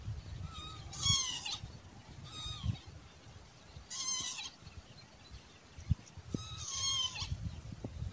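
A Spur-winged lapwing gives four loud, harsh, nasal bursts of stacked notes, spaced about one to three seconds apart, over a steady low rumble of wind.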